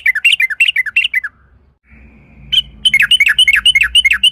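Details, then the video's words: Sooty-headed bulbul, used as a lure to get other bulbuls singing: rapid bubbly, descending chattering phrases. A pause filled with a low electric hum follows, then the fast warbling notes resume. "TRUCUK gacor UPLIK NGEPRUL pancingan trucuk agar BUNYI, jadikan burung trucukan BUNYI ROPEL"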